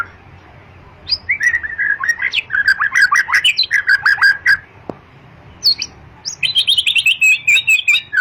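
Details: Long-tailed white-rumped shama pouring out long strings of rapid warbling whistles and clicks, a brief break near the middle, then a higher, faster chattering series.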